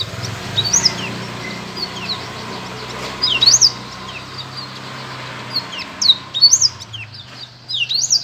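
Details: Black-throated canary giving short separated phrases of high, looping whistled notes with quick rising-falling sweeps, repeated every few seconds over a steady low hum.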